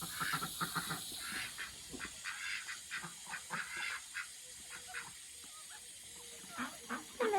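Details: Ducks excited as their pond is filled with water; harsh, rasping quacks repeat in quick uneven bursts over a steady hiss of running water.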